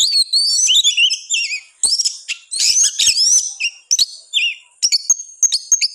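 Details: Oriental magpie-robin singing energetically in captivity: sliding, looping whistles and fast warbled phrases, interrupted by raspy bursts and short gaps, ending in high thin whistled notes.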